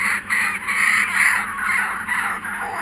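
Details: Kookaburras that have come back, giving a dense, harsh, continuous cackling chorus that swells and fades across the few seconds with no clear breaks between notes.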